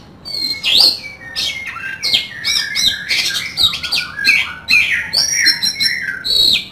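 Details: Oriental magpie-robin (kacer) in full vigorous 'isian kasar' song with rough filler notes: a nonstop, varied stream of high whistles, harsh rasping bursts, squeaks and slurred phrases for nearly seven seconds.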